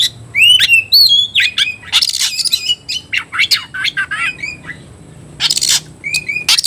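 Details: Oriental magpie-robin (kacer) singing non-stop while provoked to fight: clear downslurred whistles, then choppy runs of harsh notes and clicks, a near-silent gap, and a final buzzy burst.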